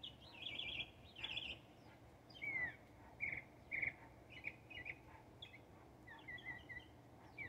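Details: Northern mockingbird singing in Texas: buzzy trilled phrases, a loud down-slurred whistle, then short repeated chirps and slurred notes, over soft background noise.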